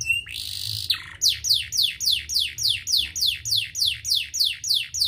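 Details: Canary song used as a lure to get lazy canaries singing: a brief high whistle and buzzy note, then a steady series of falling whistled sweeps, about four each second, over a faint low hum.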